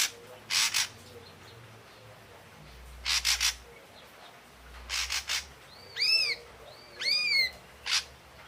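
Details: Ashy drongo delivering spaced groups of harsh, scratchy broadband notes, followed by two ringing arched calls with rich overtones, then a single rasp.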